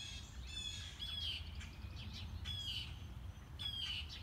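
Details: Mockingbird on a morning walk, working through its repertoire: harsh squawk-like notes ending in clear down-slurred whistles, repeated roughly every second, over a low steady rumble.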